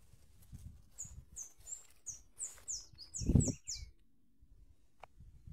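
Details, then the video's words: Sayaca tanager song: a run of about a dozen high, squeaky downslurred notes in quick series, over low rumbling and thumping noise, followed by a brief pause and a single faint click. "Olha o canto do sair canário de folha"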